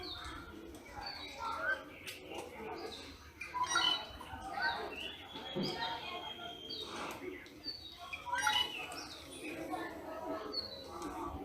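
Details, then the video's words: Rufous treepie in Ranthambhore National Park, India, giving loud, varied calls, harsh chatters and ringing metallic notes at an irregular pace, with other birds and murmuring human voices in the background. "Rufous Treepie Bird Sounds"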